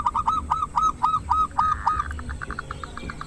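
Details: Local Indonesian zebra dove with a big voice, used as a lure to provoke silent rival doves into singing: a run of hooked, cooing notes repeated about four per second, then a quicker, softer trill of short pulses.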